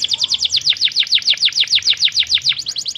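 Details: Canary delivering a brisk song of rapidly repeated, bright, downward-sweeping whistles, about six per second, over faint low background hum.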